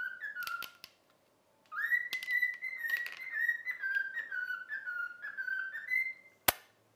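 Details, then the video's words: Trained pet cockatiel whistling the taught melody "If You're Happy and You Know It": a long phrase of gently stepping whistled notes after an opening slide, with scattered clicks and one loud sharp knock near the end. "COCKATIEL SINGING IF YOU ARE HAPPY AND YOU KNOW IT WHISTLE"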